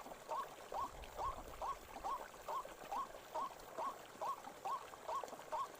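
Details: White-breasted waterhen in a forest: a brisk, even series of clipped upward-curling calls, about two per second, against low rumbling background noise.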